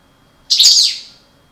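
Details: One of a breeding pair of European goldfinches of the parva race utters a single strong, grating buzz with a long fading tail, against a quiet background.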